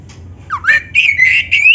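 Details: Oriental magpie-robin (kacer) singing energetically, used as a master recording to train other magpie-robins: a short phrase of loud, clear whistles, a downward slur then rising, wavering notes, with faint low room hum behind.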